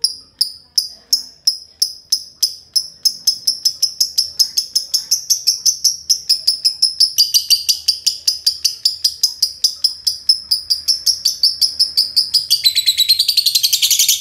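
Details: Green lovebirds, two birds, delivering a long ngekek: high chattering notes repeated steadily, then accelerating into a fast, dense rattle. The final seconds turn into a noisy, harsh trill.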